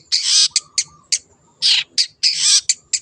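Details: Wild long-tailed shrike gives loud, rasping, drawn-out screeches alternating with short harsh notes, with a faint low murmur underneath.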